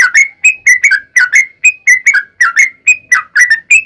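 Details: Trucukan or sooty-headed bulbul singing in a lively fighting style meant to provoke other bulbuls into singing back; clear liquid whistled notes, some rising and some dropping, repeated in a steady choppy stream.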